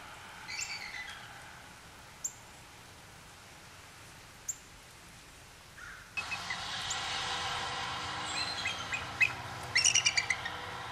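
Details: Group of young and mature bald eagles fishing along the Mississippi River on a cool, rainy December day, a nesting pair loudest, giving thin, high chittering bursts a few seconds apart over steady rain hiss and sharp clicks.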